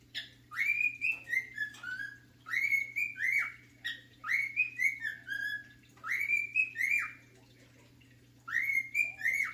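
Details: Singing his favourite song, The Sounds of Silence, a male pet cockatiel gives repeated whistled phrases of upswept and gently falling notes, separated by short silences, over a faint continuous hum.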